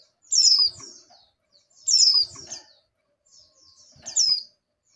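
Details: Female oriental white-eye in breeding condition calling the male: three high, thin, sharply descending chirp bursts, each about half a second, spaced roughly every two seconds.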